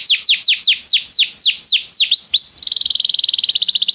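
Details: Canary song played to draw a canary into singing: a series of loud downward-sweeping whistles about four per second, two rising slurs, then a fast rattling trill.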